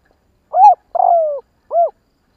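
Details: Three soft hoots from a spotted dove in a Vietnamese kích bổi lure recording: a short steady coo, a longer one gliding down in pitch, and a clipped arched note to finish. Nothing else audible.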